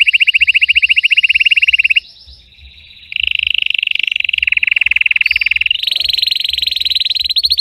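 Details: Red Belgian canary singing intensely with a deep-throated delivery, for training: a rapid pulsed trill, a brief pause, then long rolling buzzy trills shifting between tours and rising in pitch near the end, with a faint low hum underneath.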